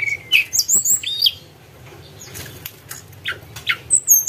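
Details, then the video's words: Tledekan gunung song used as a lure, high thin whistled notes sliding up and down in short bursts, with quiet gaps and soft clicking between phrases. "Burung Tledekan Sulingan Gunung Gacor"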